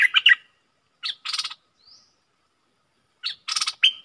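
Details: Caged decoy bulbul singing to lure wild birds: short bright warbled phrases alternating with harsh buzzy rattling bursts, separated by pauses of about two seconds.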